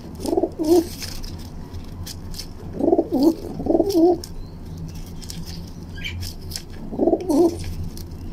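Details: Young female pigeon kept indoors, pecking and fighting its owner's hand, gives low rolling coos in three separate bursts, each about a second long, over a constant low hum with occasional clicks.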